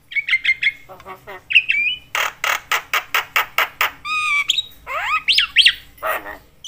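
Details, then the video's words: Javan myna calling noisily to rile up other mynas: short whistled notes, then a fast row of harsh rasping bursts, followed by long whistled slides and more rough chatter. "jalak kebo gacor BAWEL sekali bunyi bikin semua jenis burung jalak emosi koar koar"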